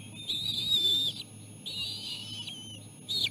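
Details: Bald eagle chicks squealing while their mother feeds them seal placenta at the nest. Three loud, sustained high whistles, about a second each, separated by short pauses, with a low hum throughout.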